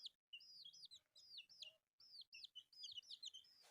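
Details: Newborn chicks at a rice meal give bright, high, curving peeps in quick succession, several voices overlapping.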